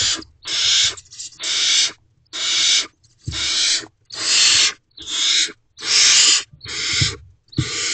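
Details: Barn owl owlets in a nest box on 30 April 2023 at 8:41 pm, during a food delivery by a parent, probably the father. Harsh broadband hisses repeat about every 0.8 seconds, around ten bursts, over a low background rumble.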